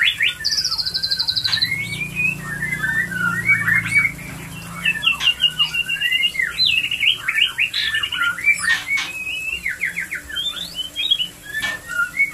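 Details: Energetic white-rumped shama song used to stimulate mating: a high buzzy rattle opening, then dense varied whistles, chatters and repeated rapid note series, with sharp clicks throughout and low hum early on.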